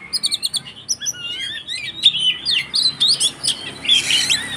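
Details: Frenzied fighting song of a kacer (Oriental magpie-robin), meant to provoke other birds to join in: a run of sharp, rapidly repeated high notes, then twisting whistles and buzzy flourishes.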